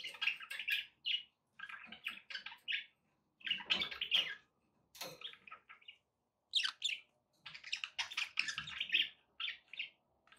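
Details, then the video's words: Pet budgies indoors give bursts of busy, buzzy chirping and warbled chatter, broken by short pauses, with a few sharp clicks. "budgie sounds with background noise for relaxation"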